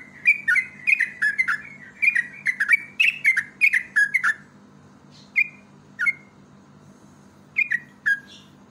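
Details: Yellow-vented bulbul lure song: a fast, chattering series of liquid whistled phrases, each dropping in pitch, then sparser single and paired notes spaced a second or more apart, over faint background hum.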